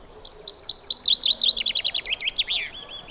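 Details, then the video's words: A common chaffinch sings in woodland, a bright, accelerating trill of rapid notes that tumbles downward and ends in a short flourish, with a faint low hum behind. "Eso que canta ahí es un pinzón vulgar."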